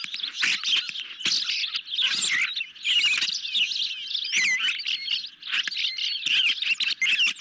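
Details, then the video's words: Hungry ospreys at a nest camera on the evening of 10 July 2021, fed a medium-sized fish; dense high, thin chirps and slurred whistles run almost continuously, broken by sharp broadband clicks and rustles. "Medium size fish for hungry Ospreys, tonight"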